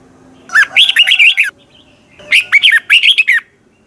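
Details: Thai Red-whiskered bulbul delivering two quick song phrases, each a run of five or six liquid, up-and-down whistled notes lasting about a second, with a short gap between them.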